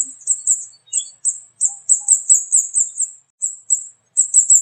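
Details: Flowerpecker, known locally as kemade or cabai, a small songbird with a loud voice found in village areas with mango trees, in lively calling: rapid high, thin cit-cit notes in short bursts, repeated almost continuously with brief pauses.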